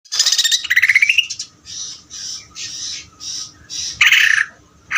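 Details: Greater green leafbird in rapid chattering song, a harsh rising buzzy rattle followed by a series of short raspy bursts repeated roughly every half second, then another loud rattle.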